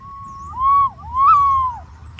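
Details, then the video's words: Smooth, swooping whistles from a green pigeon: a level tone, a dip, then two arched notes that rise and fall, the last sliding well down. Brief click near the end. "suab nquab ntsuab quaj zoo tiếng cu xanh keu"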